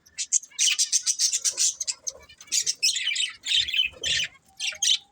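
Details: Pet budgerigars chirping in rapid bursts of high, scratchy twitters, several short notes a second, broken by brief pauses and a few harsher squawk-like notes.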